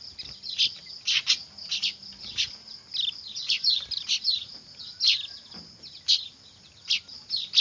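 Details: Weaver nestlings calling noisily, recorded for luring birds; rapid scratchy high-pitched chirps come in irregular clusters, with a constant shrill background tone throughout.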